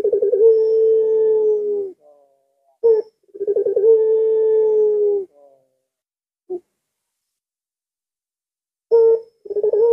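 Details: Midnight calling of a puter pelung dove: two long steady coos, each opening with a rough stutter and followed by a short sharp note, then a pause, a lone click-like note, and a fresh start.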